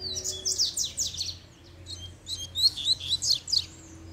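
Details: With a female present, a double-collared seedeater pours out quick, high, slurred notes in two rushes separated by a short pause, each made of rapid repeated sweeps.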